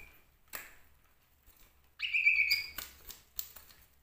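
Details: A male common iora gives one loud, high, drawn-out whistle lasting under a second, with sharp clicks and taps before and after it.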